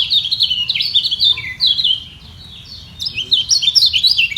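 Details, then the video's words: White-eye singing in a vocal contest to keep its top position, rivals dueling below: rapid high chittering phrases of sliding, twittering notes, a short lull midway, then a renewed burst of quick warbled trills. "Demi Mempertahankan Posisi Kecial Kuning Ini Perang Suara Di Bawah"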